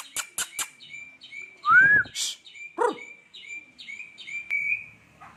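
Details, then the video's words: Murai hutan (white-rumped shama) song filled with imitations of lovebird and sparrow calls: sharp high chirps, then a bright rising whistle, a harsh burst, and a run of short repeated whistled notes. "muray hutan isian Love bird & grejaan"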